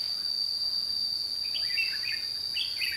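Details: Red-whiskered bulbul during trapping at Chua Huong, 22 June 2016, with a few fluid, gurgling warbled phrases in the second half, over a persistent high insect whine.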